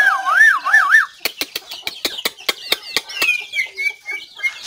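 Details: White-rumped shama recorded 17 April 2024, opening with a clear warbling whistle that wavers up and down, then a run of sharp dry clicks, ending in short sliding whistled notes.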